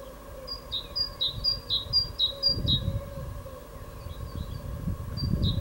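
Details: A great tit named Fridolin sings its evening song on 16 April 2022: bright two-note phrases, a high note dropping to a lower one, repeated about twice a second in short bursts. Low traffic-like rumble underneath.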